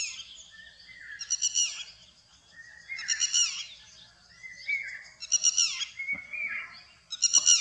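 Indochinese roller giving harsh, rasping crackles about every two seconds. Between the bursts run thinner whistled notes, likely from other birds.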